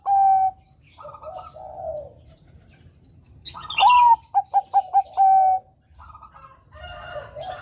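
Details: Bangkok-type zebra dove (perkutut), a Javan bird used as a lure for others, giving repeated cooing phrases: low soft coos, then a loud sliding note, a rapid series of four staccato coos and a long held coo.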